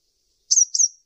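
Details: Sunbird, locally called kolibri ninja, gives two quick, very high thin chirps, each sliding slightly downward and close together, with silence around them.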